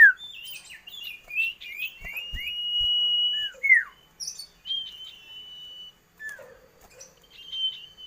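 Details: Common iora, known as sirtu, cipoh, cito or sirdum, mixing slurred whistles, twittering notes and long level whistled tones held for a second or more, with brief gaps; a faint steady high whine in the background.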